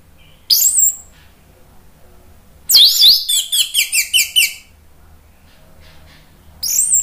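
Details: Orange-headed thrush singing, used to encourage other birds to sing: a short high burst, a long pause, then a rapid series of about eight repeated buzzy descending notes, and another burst at the end.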